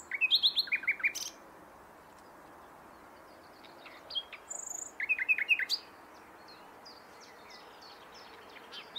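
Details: Common nightingale singing two phrases: each starts with quick, stuttering high notes and runs into repeated sharp chirps, with a short pause and a faint thin note between them.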